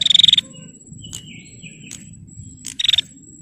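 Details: Bar-winged prinia, a female, calling to provoke males: two short bursts of rapid, evenly pulsed buzzy notes, each under half a second, separated by quieter faint chips and a steady high background whine.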